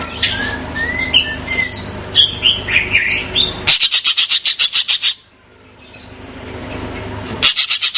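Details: Blue Asian fairy-bluebird singing: liquid, varied whistled phrases, then after a brief pause a fast run of sharp repeated notes, about four a second.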